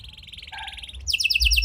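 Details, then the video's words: Canary lure song with unique cengkok phrasing, meant to make silent canaries start singing; steady pulsed trill with a lower whistled note beneath, then a burst of very high rapid trilled notes. "Buat Kenari Macet Anda Respon Dengan Suara Pancingan Kenari Gacor Ini! Kenari Gacor Cengkok Unik"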